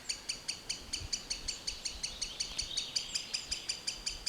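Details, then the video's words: A forest recording of a green sandpiper delivering a continuous, evenly paced string of high, piercing notes, close to three each second, with only faint low noise behind. "Tringa ochropus"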